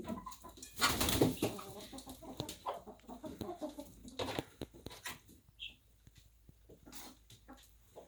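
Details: Chickens in a henhouse on a small farm: a burst of short, harmonic clucks near the start, followed by scattered sharp clicks and tapping, like pecking or scratching, and softer, intermittent clucks that fade toward the end.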